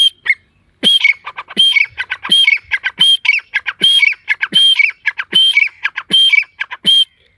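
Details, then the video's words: Partridge (teetar) in a forest giving a steady run of loud, grating calls. Each phrase starts with a sharp high note that slides down into rasping pulses, repeated roughly every 0.75 seconds without pause. "جنگل میں تیتر کی بہت خوب صورت آواز"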